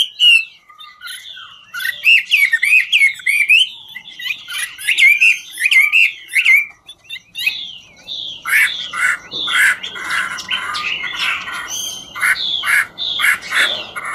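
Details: Chinese hwamei, a "ngũ trường" style singer, singing while dancing: rich run of whistled, slurred phrases, then from about eight seconds harsher, buzzier notes repeated in quick bursts.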